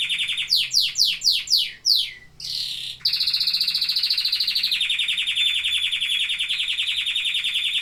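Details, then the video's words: Canary song begins with six quick descending whistled sweeps, a brief buzzy note, then a long rapid pulsed roll that steps down in pitch midway. "Singing canaries."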